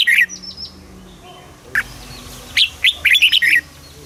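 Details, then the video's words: Caged red-whiskered bulbul in Thailand singing in southern master-phrase style, played to excite other birds: a short bubbly burst at the start, then after a pause a quick run of six warbled notes. "เสียงนกกรงหัวจุก สำหรับต่อ หรือ เปิดให้นกคึก"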